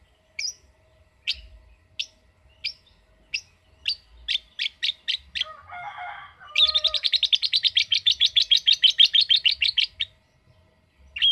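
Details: Lovebird first gives spaced single sharp chirps about once a second that quicken, then a short harsh squawk, followed by a fast sustained ngekek trill of rasping notes lasting some three seconds, and one more chirp.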